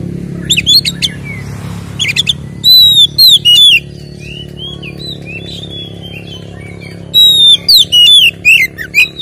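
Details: Oriental magpie-robin ngeplong fighting song, used to provoke rivals: two bursts of loud curling whistles and quick trills separated by a quiet stretch, over a faint low hum.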